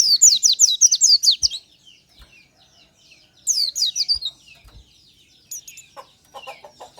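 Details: Oriental white-eye in the morning giving short bursts of fast, high, thin twittering slurs, two phrases about two seconds apart, followed by softer scattered chips and faint low taps.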